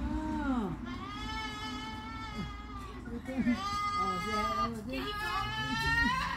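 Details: Outdoor female cockatoo laughing and chattering in a person-like voice: rich harmonic, drawn-out calls that bend up and down, delivered in three main bursts with lower murmuring between.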